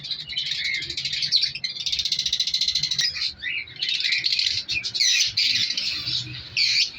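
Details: Captive African lovebird breeding colony in an aviary during winter, several colour varieties and young chicks present; continuous shrill overlapping chatter of high chirps and squeaks, with a fast rattling run of notes early on.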